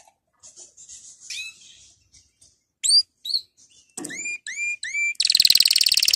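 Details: Canary song played for training: scattered high chirps, then clear whistled upslurred notes repeated in quick sets, ending in a loud, dense, buzzy trill.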